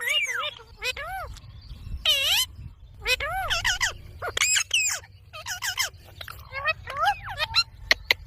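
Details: Talking ringneck parrot, a pet bird seen dancing, produces dense bursts of bending, strongly harmonic squawks and chattering, speech-like syllables in quick groups with short pauses, some notes sliding down sharply, over steady low-frequency hum.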